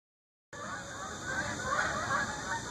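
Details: Geese flying over Shaker Heights under a yellow-orange sky, honking calls rising and fading above steady background noise after a half-second of silence.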